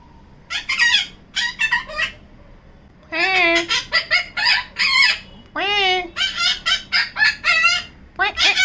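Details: A female pet yellow-collared macaw hiding in a cabinet indoors gives bursts of harsh, scratchy squawks in quick clusters, with one longer wavering screech midway, over a quiet background.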